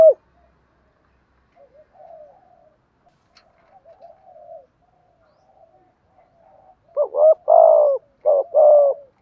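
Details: Decoy spotted dove gives morning calls to draw in wild doves: soft, muffled low murmurs for several seconds, then a louder burst of rough coos near the end.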